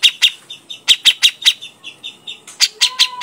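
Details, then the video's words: Grey-cheeked bulbul calling loudly for a lure recording: bright staccato chips repeated in quick bursts, with a short clear whistled note near the end. "pancingan burung cucak jenggot"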